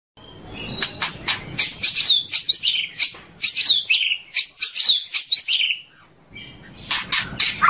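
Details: White-rumped shama training song: a dense, chattering run of sharp clicks and looping, up-and-down whistled notes with uneven rhythm, then a short pause and a few final sharp notes.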